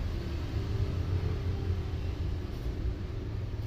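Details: Steady low engine rumble throughout, with no animal voices.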